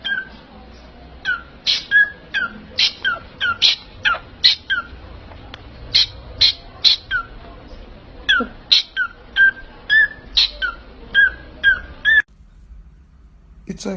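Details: Parrot repeating loud, squawky whistled calls in an uneven rhythm of about two per second over steady background noise, ending in a brief near-quiet pause.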